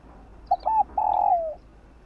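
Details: Morning cooing of a spotted dove, sung to stir newly caught birds: two quick soft notes followed by a long, smooth, slightly descending coo that trails off, with a quiet background.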